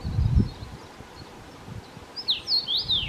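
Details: A common rosefinch (Carpodacus erythrinus) in Czechia sings a brief phrase of clear, slurred whistles that rise and fall, after a low rumble of background noise. Common rosefinch.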